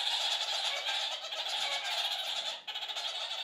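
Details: A flock of kakariki chatter together, as they do several times daily: a dense, continuous wash of high, scratchy, twittering notes with no pauses, briefly dipping near the end before resuming.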